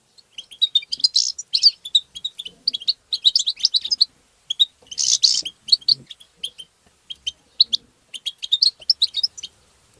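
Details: European goldfinch singing to stimulate goldfinches: continuous loud, rapid twittering with liquid tinkling notes and buzzy bursts, nearly unbroken for ten seconds apart from a short pause around four seconds.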